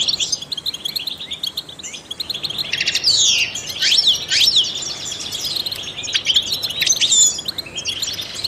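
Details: Trained European goldfinch pouring out fast, high twittering song with sharp descending slurred whistles and buzzy notes, rising in intensity midway, meant to stimulate other songbirds.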